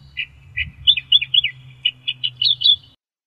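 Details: Australian reed warbler, an Australian reedbed bird, singing a string of separate, rich, slurred notes. Some notes rise and some fall, delivered at an uneven pace before the song stops.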